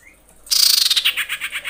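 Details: Female common iora in breeding condition, calling males as a lure: a faint high note, then a sudden loud, harsh chatter of about a dozen rapid pulses that slows and fades over about a second.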